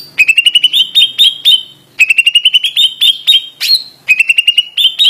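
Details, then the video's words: Greater green leafbird singing in 'ngotot' style: repeated quick series of clear ringing notes climbing slightly in pitch, each run lasting under two seconds, with one sharper squeaky note in between. "Cucak ijo suara ngotot"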